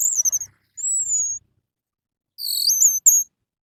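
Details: Morning song of an orange-headed thrush, played as a lure to make captive birds sing along: high, pure whistled phrases, including a long, slightly falling whistle and a rising, warbled phrase, separated by pauses.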